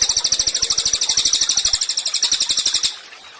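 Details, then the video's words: Tutor recording of a Cililin in full voice for training songbirds: one sustained burst of fast, high, piercing notes repeated evenly for nearly three seconds, then stopping abruptly into quiet. "CILILIN GACOR, MASTERAN HANDAL UNTUK BURUNG KICAU."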